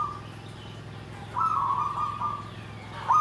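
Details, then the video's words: Zebra dove in 'nggandem gedhe garing' song: after a brief opening note and a quiet pause, one sustained, gently wavering coo of about a second and a half, ending with a sharp new note; low hum in the background. "SUARA PERKUTUT"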